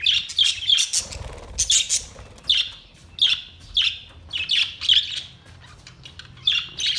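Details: Budgerigars on 22 May 2023 chirping in sharp, high, clipped notes, repeated in clusters roughly every half second, loud and close, with quiet gaps between bursts.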